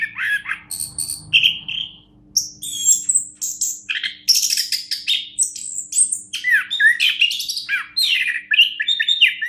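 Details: A champion orange-headed thrush sings a rich medley of slurred whistles, high twitters and harsh chattering notes, nearly continuous, over a faint low hum.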